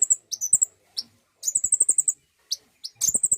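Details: Common iora song played to stimulate singing: bursts of high, sharp notes, including a quick trill of about nine repeated chirps, separated by short pauses and isolated single chips.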